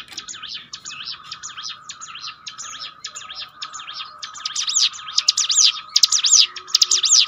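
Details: Bar-winged prinia (ciblek gunung) training song for boosting a bird's mental toughness: soft, fast zigzag notes at first, then louder, high sweeping up-and-down phrases repeating about once per second over a steady low hum.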